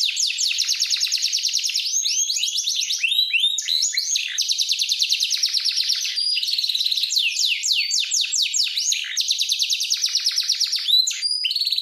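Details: Powerful canary training song, a continuous stream of high rolled trills, quick repeated chips and sweeping whistled notes, changing tour every second or two, bright and loud throughout.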